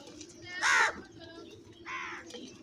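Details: Crows calling in a large flock: two harsh, nasal caws, the first loud and the second softer, over a steady hum and a background of distant chatter.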